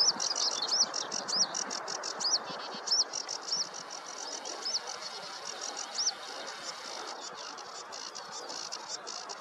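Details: A sedge warbler sings in a meadow on a warm morning, 2 July 2024, repeating short, high, up-and-down chipping notes, roughly two a second, over a steady low rushing hiss.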